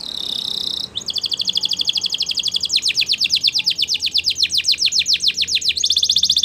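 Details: Belgian canary song: a steady buzzy high trill breaks into a fast, even run of sharp ticking notes, roughly four per second, that slows slightly before returning to a dense buzzing roll.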